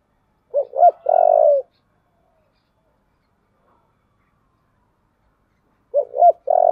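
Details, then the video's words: Spotted dove of the 'giọng thổ' voice type giving a fierce fight-urging coo. Two quick hooked notes run into a long, steady mid-pitched coo. The phrase returns after about five seconds of silence. "cu gáy giọng thổ/ cu gáy thúc đấu căng lửa"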